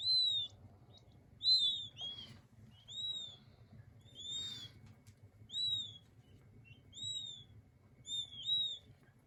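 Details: Young king quail chicks peeping: high, thin whistled notes, each gently rising then falling, repeated roughly every second with short gaps, a soft low hum underneath.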